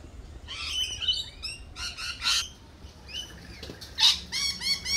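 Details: Lorikeets at a cafe, giving harsh, buzzy screeches in bursts, several overlapping calls stacked high in pitch, with short gaps between outbursts and a quiet low background.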